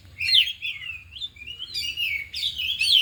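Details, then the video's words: Afternoon training of four oriental magpie-robins showing off learned fill-in song: a bright whistled note followed by a long, smoothly wavering whistle, then fuller overlapping chattering phrases toward the end. "Latihan Kacer di Sore Hari Biarpun Hanya Burung 4 Tapi Jalan Semua dan Bongkar Isian"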